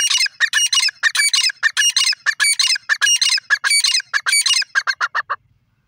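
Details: Grey francolin calling: loud, harsh, squawky notes rapidly repeated in rhythmic bursts, about one or two per second, ending in a run of shorter clipped notes that stops abruptly, with a quiet background.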